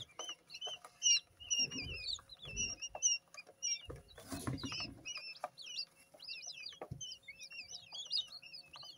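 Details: Just-hatched quail chicks in a brooder, still wet from the incubator: a chorus of high thin twittering peeps, interrupted by rustling and low thumps, over a steady background hum.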